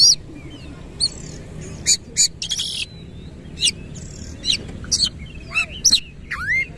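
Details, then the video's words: White-rumped shama singing a rough, aggressive song with tail opened: spaced bursts of sharp clicks, buzzy rattles and quick whistled upslurs, separated by short pauses, over a faint steady hum. "KACER GACOR BONGKAR ISIAN KASAR BUKA EKOR"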